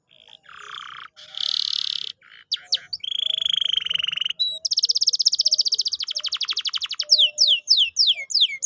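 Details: Canary song played to coax a quiet, lazy canary into singing again: buzzy held notes, fast rattling trills and rolls, then a run of sharp down-slurred whistled chips repeated about twice a second.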